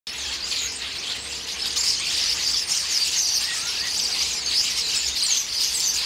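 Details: Common starlings, a flock raiding a pear tree and squabbling noisily while pecking the fruit; dense, continuous high chattering and squeaky twitters from many birds at once, no single voice standing out.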